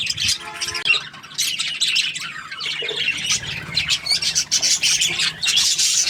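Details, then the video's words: Budgerigar in a happy mood, chattering steadily with rapid high-pitched chirps, squeaks and raspy squawks in an unbroken stream, with a brief lower buzzy note near the start. "Happy Budgie chirping sounds"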